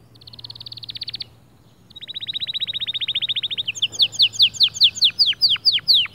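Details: Male white canary singing to motivate other birds: two long rapid trills separated by a pause, then louder downslurred whistles repeated quickly; a faint low hum underneath.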